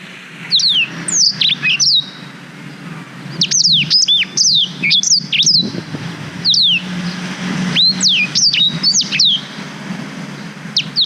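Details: Song of a black-throated canary, meant as a master model for training canaries, GoPro Hero 5 recording: bursts of high, descending whistles and chips in phrases separated by short pauses, with low rural background rumble.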